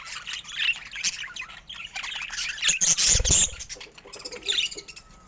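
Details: Colourful pet budgerigars with rare mutations keep up a steady warbling chatter of thin chirps and rough squawks, a louder burst near the middle with a brief low rustle.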